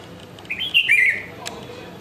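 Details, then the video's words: Perched bulbul giving one liquid, gurgling phrase of several quick slurred notes that dip downward at the end, followed by a faint click; otherwise a quiet setting. "perching and Calling Bulbul"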